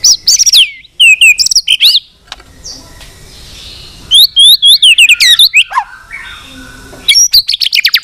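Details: White-rumped shama singing a long, varied song meant to provoke fighting; rapid bursts of sharp whistled and clicking notes, high and sweeping, in dense phrases separated by brief pauses.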